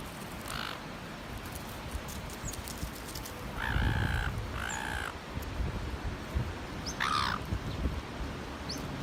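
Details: Bullying seagull at North Shore driving other gulls off food: scattered harsh squawks, a pair of longer ringing calls midway, over steady rumbling background noise.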